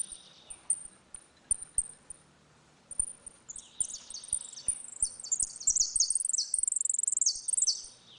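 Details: Saffron finch performing the ringing 'retinido' song during a dispute, a song for teaching young birds: sparse high chips that quicken into a long, dense run of bright, sliding high notes.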